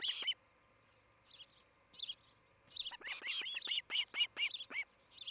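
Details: Nesting osprey pair near Charlo, Montana, on a morning camera feed from July 11, 2018: a loud opening chirp, brief softer whistles, then a hurried run of high, piping chirps, slightly uneven, over a persistent electrical hum.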